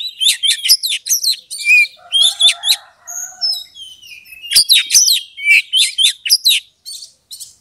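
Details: Caged oriental magpie-robin song used to provoke a rival into fighting; loud, fast, varied phrases of sharp whistles, chattering notes and downslurred trills in bursts, with a brief pause before a renewed rush of notes.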